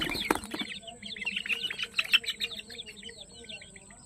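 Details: Peruvidai chicken chicks on a farm, a crowd of them giving rapid, overlapping high peeps that slide downward, dense and chattering, with a thud near the start and a steady faint high whine behind.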